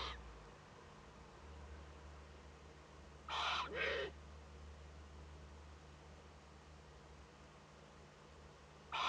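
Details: Eurasian eagle-owl young at its nest in northern Rhineland-Palatinate, Germany, on 15 May 2013, during its first contact with an adult. It gives a quick pair of harsh, noisy hisses, then another hiss after a pause.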